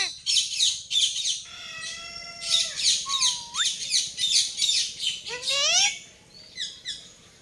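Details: Talking parrots, several, giving a busy run of harsh squawks and chirps mixed with clear whistled notes, some long and level, others sweeping sharply upward, in bursts over several seconds.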